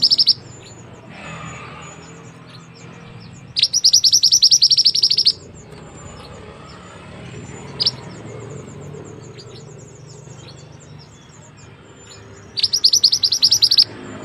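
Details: Actively singing white-rumped shama, a mountain bird from West Sumatra, gives sparse bursts of fast, high, bright trilled notes, each one to two seconds long with long pauses, plus a single faint note midway and low rumbling background noise.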